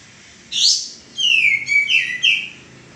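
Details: A male common iora kept for training cage birds gives a high rushing note followed by a few long, bright, falling whistled slurs.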